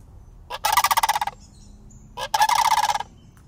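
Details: Juvenile sandhill cranes, a pair living year-round in a city, walk up to greet a person, iPhone recording: two loud rolling, rattling calls, each lasting under a second, separated by a short pause.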